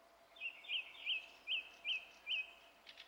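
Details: Song thrush singing on 27 April 2016: one clear whistled note with a quick upward flick, repeated six times at steady intervals of about a third of a second, against faint background hiss.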